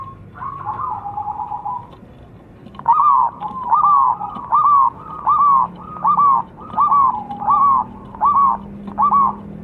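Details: Lure recording of a zebra dove: an opening drawn-out coo, then a steady series of rolling, arched cooing notes about every 0.7 seconds, with faint low hum underneath.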